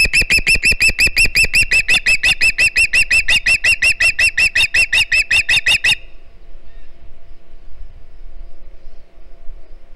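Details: Noisy young Osprey on a Hog Island nest, filmed by live camera on 09 September 2019 while calling for fish: a fast, steady run of piercing chirps for six seconds, then sudden quiet.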